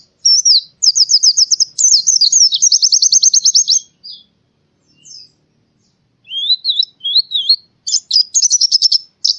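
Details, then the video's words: Tutor song of a white-eye, Central Java, Indonesia, meant to sound like the forest: rapid high rattling trills running about four seconds, a pause, then wavering whistles and another quick chirping burst. "masteran burung pleci suara seperti di hutan"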